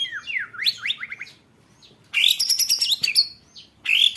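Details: White-rumped shama contest training material: a run of quick sweeping whistles swinging up and down, a pause, then a dense burst of high buzzy trills and a final rising whistle.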